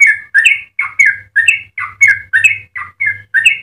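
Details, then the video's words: Yellow-vented bulbul singing a lively, melodious song meant for training other bulbuls; paired liquid whistled notes, a falling then rising slur, repeated in steady bursts, over a faint low hum. "Trucukan gacor ropel panjang cengkok termerdu untuk pancingan dan masteran"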